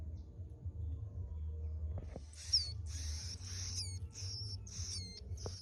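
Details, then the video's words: Bar-winged prinia at the end of the season, giving rapid bursts of thin, high notes with quick downward-curving flicks, repeated about five times in three seconds over a low background hum. "Cigun akhir musim"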